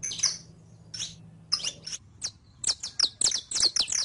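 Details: Captive saffron finch (Sicalis flaveola) song meant to teach other birds; scattered high chirps give way to a fast rattling run of sharp descending high notes, with a low hum in the background.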